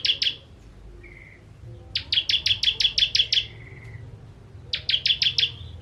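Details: Bar-winged prinia ('ciblek kristal') singing in 'tembakan' style for training contest birds: a short chip run, a faint thin whistle, then a run of about nine sharp high chips and a final quick burst, over a soft low hum.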